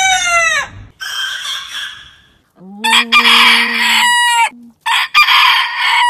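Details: Heritage-breed roosters crowing. A descending crow ending leads into a hoarse crow. A much deeper-voiced, low droning crow follows, layered over a raspy higher crow. A further short, bright crow comes last.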